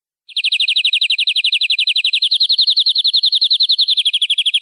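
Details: A canary trills in a long master recording for young canaries. A rapid series of downslurred high notes rolls on for over four seconds, drifting slightly lower in pitch, with no background noise.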